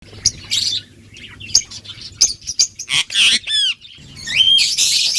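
Lovebirds chirp in sharp, high, rapid bursts with scratchy squawks and a few clear downward whistles, from several birds at once.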